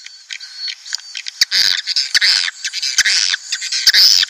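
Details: Swiftlet lure sound meant to draw colonies of breeding swiftlets into a nest house: dense, buzzy, high chirps and twitters that come in bursts with short sharp clicks between them.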